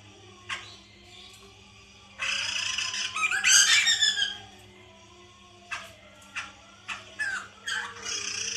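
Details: Lure for a captive white-crested laughingthrush: a lone chip, then a two-second swell of loud harsh cackling, followed by a series of short sharp chips and brief raspy phrases over a steady low hum.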